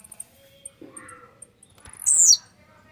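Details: After a few faint, soft background sounds, a warmed-up, grumpy Blue-black grassquit delivers one loud, thin, buzzy phrase that drops sharply in pitch.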